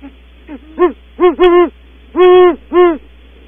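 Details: Female then male Great Horned Owl call as they leave a nest cavity at Audubon Starr Ranch, trading soft, mellow hoots: a few quiet notes, then fuller paired and drawn-out hoots in an uneven rhythm, with a low steady hum behind.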